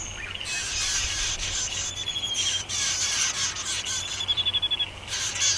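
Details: A Striated pardalote pair nesting in a stone wall under a shed gives high, sharp chipping notes, with a fast pulsed run of notes near the end, over a steady bright hiss of other small bird chatter.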